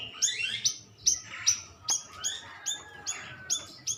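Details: Lure sound of a stripe-throated bulbul for prompting replies: bright, high clipped notes that drop in pitch, spaced about every half second, over softer lower twittering and a faint background hum.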